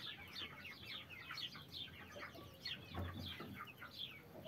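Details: Thirty-three chicks with their mother hen cheep continuously, a dense overlapping chatter of high, downslurred peeps with no pause, soft low background rumble beneath.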